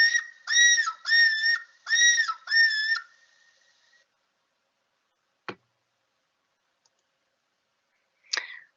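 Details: Common loon (Gavia immer), back in March–early April and nesting at Quabbin Reservoir, gives a quavering, laughing tremolo of rapid wavering notes for about three seconds, a call used to keep in contact with each other, then a click and brief rustle.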